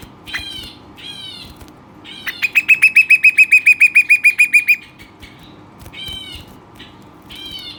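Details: Pet Western rock nuthatch, full of energy, giving scattered buzzy calls, then a burst of a dozen rapid, loud ringing notes before returning to spaced harsh calls.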